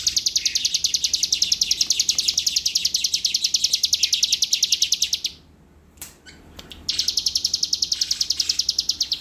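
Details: Bar-winged prinia kept by a songbird contest judge in Palembang, singing a rapid, high chattering trill of evenly repeated sharp notes for about five seconds. After a short pause with a faint click, it resumes the same fast buzzy series.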